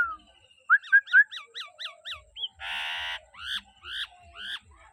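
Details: Pet common hill myna kept by its owner, who coaxes it home; a rapid run of repeated downslurred whistled notes, a harsh broad squawk, then more loud rising-falling whistles.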